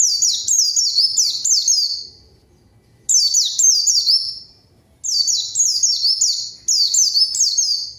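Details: White-eye lure song for calling rivals: repeated phrases of four or five fast, high, falling whistles, the phrases broken by brief silences, in an otherwise quiet setting.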